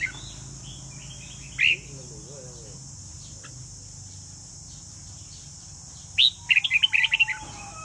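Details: Vietnamese red-whiskered bulbul singing in competition: one sharp chirp, a long quiet stretch, then a quick tumbling series of bright warbled notes near the end, over a continuous high hiss.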